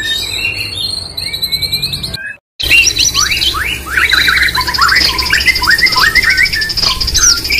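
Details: Online contest entry of a white-rumped shama (murai batu): high buzzy trills, a brief silence, then a rapid run of varied upslurred and downslurred whistles with dense chatter above.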